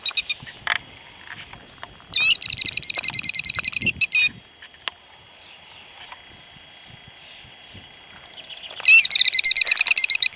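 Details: Killdeer mother guarding eggs laid in an exposed spot right behind a car: two bursts of rapid, high, shrill trilled notes about two seconds long, separated by quiet with faint background.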